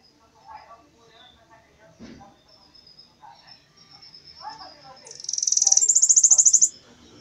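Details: Bananaquit singing an unusual, different song: one high, thin, buzzy rapid trill lasting about one and a half seconds, stepping up in pitch partway through, over faint murmuring voices and low background sounds.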